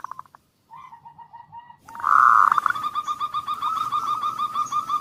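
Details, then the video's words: Zebra dove song played as a lure to prompt quiet doves to sing: short cooing notes, a pause, then a loud rolling burst leading into a long run of fast repeated coos with a steady high hum behind. "suara pemancing Perkutut yang Males Bunyi"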